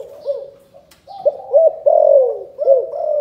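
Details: Spotted dove, Can Tho, Vietnam, cooing in the 'chụp chụp ô' calling style: a few short, arched coos lead into a longer, sliding note, then more clipped coos.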